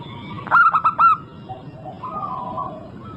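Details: Local zebra dove, used as a lure to make other birds sing: one fast phrase of four staccato, ringing coos near the start, then quieter drawn-out whistles from other birds.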